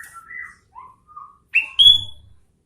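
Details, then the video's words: Sooty-headed bulbul in vigorous song: soft mellow whistles at lower pitch, then a sharp rising note and a loud, clear, ringing whistle rich in overtones. "Suara Burung Kutilang Gacor Garuda"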